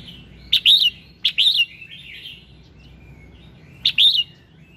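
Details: Red-whiskered bulbul morning song, played to prompt other bulbuls to sing: three bright, liquid warbled phrases, each a quick rising-falling flourish, with soft twittering between the first two and a long pause before the last.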